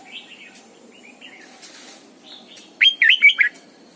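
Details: Red-whiskered bulbul, a lure bird, singing in the morning: soft distant warbles, then a loud burst of four looping whistled notes near the end, with background clicks.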